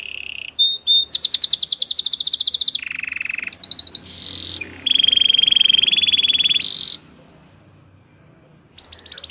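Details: Canary singing in bursts of dense rapid rolling trills, some higher and some lower pitched, separated by short whistles, ending in near silence and a final quick rattle.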